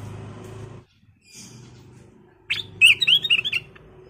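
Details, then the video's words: Sooty-headed bulbul singing energetically: one quick phrase of five or six rolling, liquid whistled notes rising and falling, over a steady low hum in the background. "Kicau Burung Kutilang Emas Gacor"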